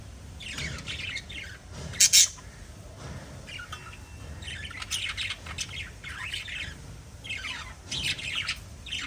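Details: Pet budgerigars chattering: dense, overlapping bright chirps and squeaky warbles in continuous bursts, with one sharp loud click near the two-second mark.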